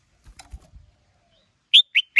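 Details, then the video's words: Male red-whiskered bulbul stimulated by a female: after faint soft clicks, three loud, evenly spaced whistled notes ring out in quick succession, 'sổ bọng' and 'ché' style song. "Chào Mào Mái Kích Trống Căng Lửa"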